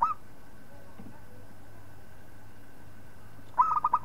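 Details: Local zebra dove song used for training other birds. A clipped note at the start, a long quiet gap with faint hum, then the opening of a rapid pulsed cooing phrase at the end.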